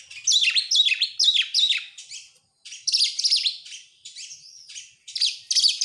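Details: Song of an oriental magpie-robin played to make other birds sing; quick cascades of downslurred whistles and buzzy notes, a short silence, then another rapid burst.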